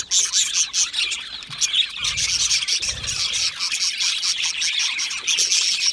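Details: Flock of budgies chirping and chattering when comfortable in a colony: continuous high, scratchy twittering with sharp tweets and short whistles, plus soft low knocks in the background.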